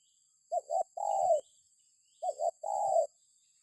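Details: Spotted dove lure sound: two phrases of a short doubled coo followed by a long, smooth, slightly falling coo, separated by a brief silence, with a steady thin high-pitched whine in the background.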